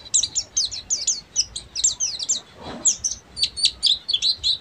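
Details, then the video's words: Oriental white-eye of the buxtomi type singing a full chattering ngeriwik song: rapid high thin twittering notes, clustered in quick bursts, steady throughout with a faint low background hum. "SUARA BURUNG‼️PLECI BUXTOMI FULL NGERIWIK"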